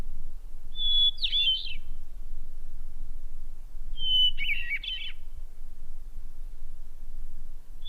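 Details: Hermit Thrush recorded near Boulder, Colorado, singing two phrases about three seconds apart, each a long pure whistled note breaking into a fluty, tumbling flourish, over a low rumble.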